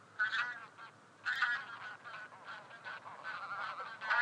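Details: Taiga bean goose honks, harsh and nasal, overlapping from several birds in a dense, continuous flock chorus with louder bursts near the start and end.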